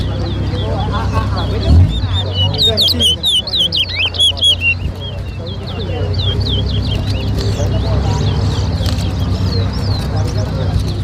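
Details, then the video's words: Towa towa bird singing at a bird club whistling competition in Lusignan, Guyana; bright, rapid warbled whistles with quick up-and-down notes for a few seconds, over steady background music and people talking. "TOWA TOWA BIRD WHISTLING COMPETITION"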